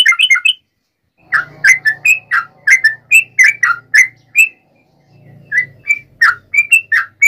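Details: Yellow-vented bulbul in fighting, provoking song aimed at rival bulbuls: a steady run of bright, warbling whistled phrases, mostly one note after another, with a faint low hum underneath in places.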